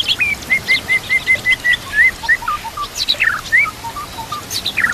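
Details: White-rumped shama singing a run of about eight evenly spaced level whistles, then lower slurred notes and sharp high upswept phrases; faint background noise.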